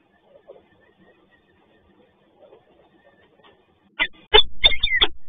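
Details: Peregrine falcon in Toruń, Poland, on a rainy morning, giving a few loud, harsh, grating calls in a quick burst at the end, after several seconds of faint soft murmuring and patter.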